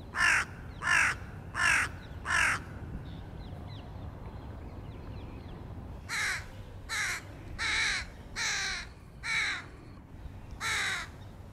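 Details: Crow feeding its young, 2022: four quick rasping caws in a row, a pause, then a longer series of about seven harsh caws at a steady pace.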